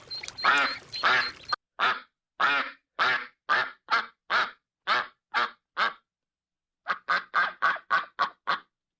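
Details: A duck quacks in a long sequence: a few overlapping harsh calls, then about a dozen evenly spaced rasping quacks, a brief silence, and a faster run of six more.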